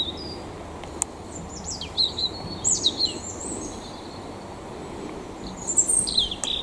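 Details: Mistle thrush singing in the Eifel: short, high whistled phrases of slurred notes, separated by pauses, over steady background rumble and noise.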